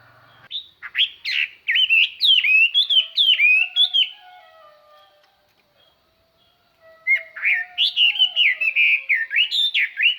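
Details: Decoy hwamei singing to attract and excite wild birds. Loud, varied whistled song with quick up-and-down slurs and ringing notes for about three seconds, a quiet gap with a faint low whistle, then a second energetic run.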